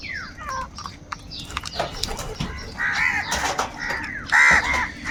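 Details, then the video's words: Angry crows fighting for food: harsh, buzzy caws come in short bursts near the middle and end. Other birds give sliding, falling whistles and chatter throughout, over a low background rumble. "Crow bird live crowing sounds - Angry kauwa ki awaaz | Kaka sound and noises of crow birds"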